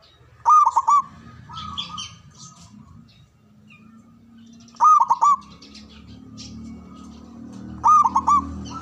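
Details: Zebra dove from Java, a loud long-breathed local singer, repeats a quick bubbling coo phrase three times roughly every three and a half seconds, with quieter coos and low background hum between.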